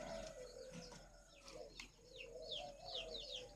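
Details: Spotted doves on a farm raising young doves: a low, steady cooing tone runs through, with high, sharp descending chirps from many birds layered above.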